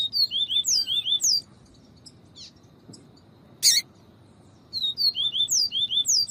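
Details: Double-collared seedeater, a 'viviti' style singer mixed with female calls, used to stimulate a caged male's singing: high thin whistled notes in quick descending series, repeated in bursts with a pause and a sharp buzzy note between.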